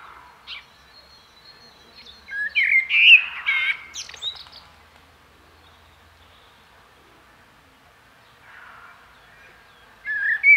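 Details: Common blackbird producing a brief burst of warbled, fluty notes mixed with scratchy high sounds, then near silence, and a fresh loud phrase starting at the end.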